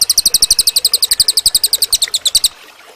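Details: Cililin singing as master material for training other birds, a rapid run of sharp high chips, roughly eight each second, steady for two and a half seconds before falling silent.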